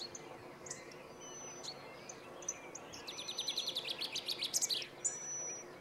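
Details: Male chaffinch in Planina Gornja, Croatia, on 22 March 2014: a quick run of sharp repeated chirps that accelerates into a short terminal flourish, with thin high whistles from other birds and constant low background noise.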